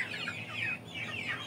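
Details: Many young chickens peeping together, shrill short chirps that slide downward, tumbling over one another without pause in a busy chorus.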